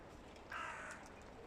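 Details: One fainter, grating caw from a hooded crow amid rival groups calling before the mating season, set against a steady background hiss.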